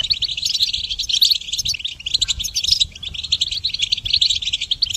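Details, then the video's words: Goldfinch song played for training songbirds: a steady, rapid stream of bright twittering and tinkling high notes running without pause, over a faint low rumble. "Goldfinch Song Training"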